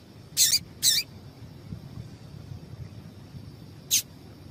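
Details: Female papa-capim (Double-collared Seedeater) calling to get males singing: two quick piercing high chips in succession, then a third after a pause of about three seconds, against low hiss.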